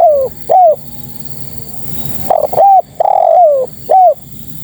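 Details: Calling female spotted dove seeking males: a falling coo and short note end one phrase, then a fresh phrase follows with stuttered notes, a long downward-sliding coo and a clipped final coo.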